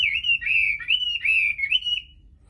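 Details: A Chinese hwamei singing naturally, without a female present, gives a loud, rich, unbroken warble of rolling, slurred whistles for about two seconds, then falls quiet.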